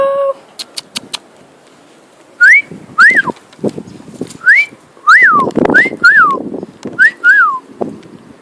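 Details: Pet male cockatiel singing while flying, giving a run of about seven clear up-and-down whistles in quick succession, some paired, with sharp clicks early on and soft noise between phrases.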